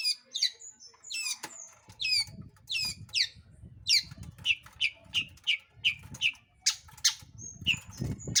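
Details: Long-tailed shrike song intended to provoke other birds into singing: varied downslurred whistles and harsh notes in quick succession over a low background rumble.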